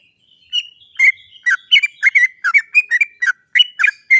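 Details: Sooty-headed bulbul in full, lively song, used as a lure to make other birds sing: bubbly chattering notes in quick uneven bursts, some slurred, with short gaps between phrases.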